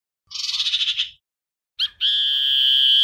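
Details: Common iora song used as a lure to call the flock: a rapid, buzzy pulsed trill lasting about a second, a short pause, then a brief note sliding into a long, steady, high whistled tone.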